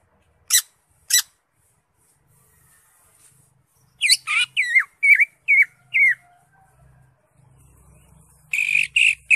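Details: Greater green leafbird giving ngekek song: two isolated sharp clicks, a quiet gap, then a quick run of looping downslurred whistles, more silence with faint low rumble, and a closing burst of buzzy notes.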